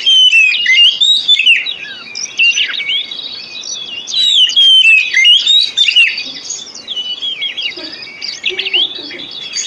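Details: Lure song of an Oriental magpie-robin, meant to stimulate silent or sluggish captive birds to sing: a continuous, dense medley of high whistles, downslurred notes and quick twittering runs, fading slightly near the end.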